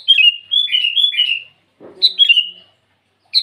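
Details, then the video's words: Sooty-headed bulbul singing in the morning to call rivals: a long run of liquid whistled notes sliding downward, a short soft thump, then a second falling phrase and the start of a third. "Suara burung kutilang memanggil lawan di pagi hari"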